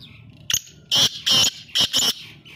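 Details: Black francolin calling in Sindh: a loud, grating series of four harsh, buzzy notes in rough rhythm, preceded by a short sharp click and a thinner whistle.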